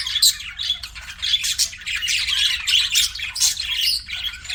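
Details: Several budgies give a lively jumble of high, twittering chirps and grating squawks, with a sharp peak just after the start and steady chatter afterwards.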